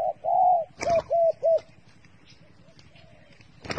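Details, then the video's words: Dove used as bait giving a long level coo, then three short even coos in quick succession, with a sharp knock or rustle between them and near the end. "The five videos of the dove bait are really good to wa"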